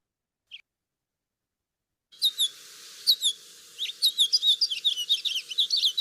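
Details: House Finch (Haemorhous mexicanus) song: a long, rambling warble of quick, high chirps and slurred notes, many ending in buzzy downslurs, over a faint background hum.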